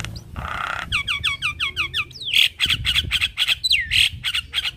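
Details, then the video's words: Javan myna song recorded as a morning lure track: a varied, chattering song with a harsh buzzy burst, a quick run of repeated down-slurred whistles, then loud squawks and a rising whistle. "Suara Jalak Kebo"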